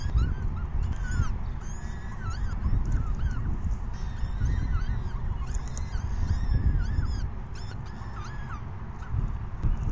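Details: Peregrine falcon chicks beg at a 6 PM feeding on May 14, 2021, a nonstop tangle of shrill, slurred squeals from several birds, layered over loud low rumbling noise.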